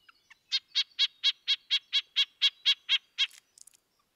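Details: A Red-breasted Nuthatch gives a quick run of about a dozen nasal, tinny 'yank' notes, roughly four per second, then a few faint high chips; long runs of yanks usually warn of closer danger.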